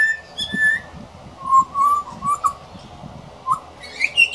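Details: A young pied butcherbird, a regular visitor, practising its song: clear whistled notes, a high opening whistle, then a run of mellow lower phrases and rising high notes at the end, over a faint low hum.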